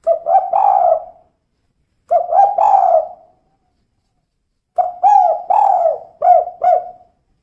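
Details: Female spotted dove cooing in the kuk 2 style. Three phrases of quick, hollow notes, each run ending in a longer, wavering coo, separated by pauses of about two seconds. No other sounds.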